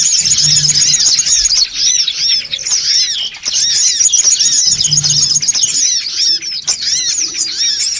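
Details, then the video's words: Noisy songon otong calling for luring birds: a busy, high twittering chorus of many overlapping rising and falling chirps, pausing briefly partway and then resuming just as thickly. "SUARA PIKAT SONGON OTONG (RIBUT)"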